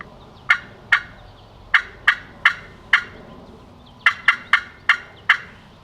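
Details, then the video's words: A wild turkey gobbles in Minnesota in the late spring 2019 season, giving a series of sharp, throaty notes in two bursts, about two or three per second, over a soft background hiss. "Turkey just gobbled. Did you hear it? Did you hear that turkey gobble?"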